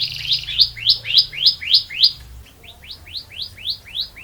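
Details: Canary in full song in the long rolling style called ngerol panjang: a series of quick rising-then-falling whistled notes, roughly four per second. The notes are loud at first, then a softer run of the same notes follows.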